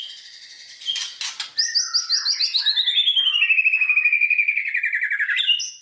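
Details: White-rumped shama lure song to stir other shamas into singing: a few harsh rattles, then a long fast trill of repeated notes sliding steadily downward in pitch.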